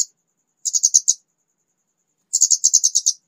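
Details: Young white-rumped shama just starting to sing: two bursts of rapid, dry, buzzy high notes, each about six quick pulses, separated by a pause of over a second, with silence in between.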